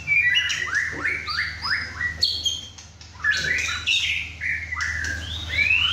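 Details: Intense song from a young caged male White-rumped shama at home among other birds during his first chai session: repeated rapid downslurred whistles followed by rising, warbled phrases, loud throughout, low hum underneath.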